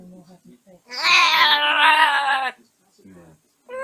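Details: An African grey parrot in its cage at bedtime, settling down, gives a drawn-out, wavering, speech-like babble lasting over a second, with soft low murmurs before and after it.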